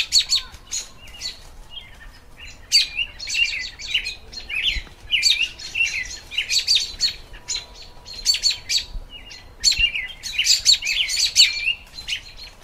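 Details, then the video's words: Spring song of an American robin: clusters of high chirps and short warbled, slurred phrases in irregular bursts separated by pauses of one to two seconds, with a quiet background. "Robins Sounds"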